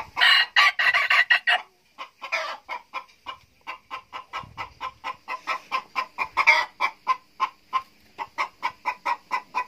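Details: A young captive-bred (F2) male red junglefowl used as a decoy gives a harsh, ragged crowing burst, then a steady run of sharp clucks, about three a second, for the rest of the clip.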